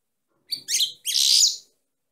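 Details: Female European goldfinch singing: two short bursts of bright, high twittering notes with a brief gap between, the second phrase longer and denser, on an otherwise quiet background.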